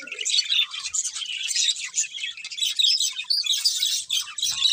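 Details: Several budgies chatter nonstop in busy, high-pitched warbling bursts, scratchy trills and quick tweets layered together throughout.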